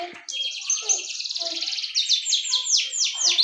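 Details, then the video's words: Canary giving a rapid, even, high rolling trill that shifts into slower large downward swoops near the end. "ڈنڈا سٹارٹ کنریfull started canary"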